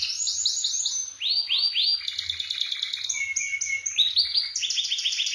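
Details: Canary in full rolling song: quick high whistled swoops repeated in runs, then a steady lower whistled note, then bright rapid trills and buzzy phrases, continuous and loud throughout.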